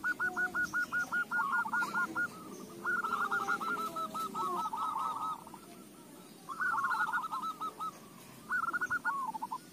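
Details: Zebra dove song serving as a lure for other doves: long, continuous runs of quick, hooked coos from several doves, broken by short pauses, over a hissy background.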